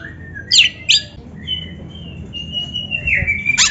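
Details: Oriental magpie-robin singing as a practice lure for caged birds: two sharp rasping chips followed by a long, thin, steady whistle that slides lower at the end, closing with another harsh note.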